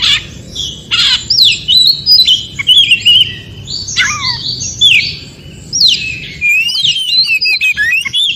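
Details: Forest song of a white-rumped shama (kacer), played to prompt reluctant shamas to respond and sing: varied whistles, rapid trills and falling slurs in bursts separated by short pauses, faint background hiss.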